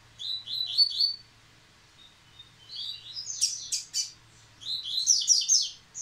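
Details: A Yellow-bellied Seedeater, singing again after its molt, gives three quick bursts of high, sweet chirps and buzzy trills, each about a second long, with short pauses between; a faint low hum runs underneath.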